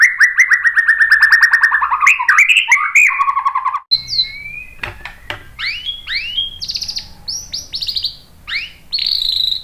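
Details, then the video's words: Murai batu (white-rumped shama) lure song to make other birds answer. It begins with long rapid trilled phrases, then shifts to sharp high whistled notes with sweeping slurs and chips. "KICAUAN MURAI BATU memancing BUNYI jadi NYAUT GACOR NGEPLONG BONGKAR ISIAN"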